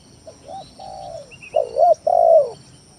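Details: Lure song of a spotted dove for provoking rival doves: quiet short coos leading into a loud double coo and a long drawn coo, a faint high chirp and steady hum behind.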